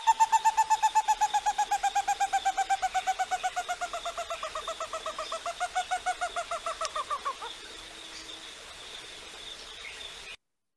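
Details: A lone Stresemann's Bristlefront in Brazil's Atlantic coastal forest, rediscovered after about 52 years, gives its mournful call: a long, fast series of clear notes, about four a second, slowly falling in pitch over seven seconds, then faint hiss.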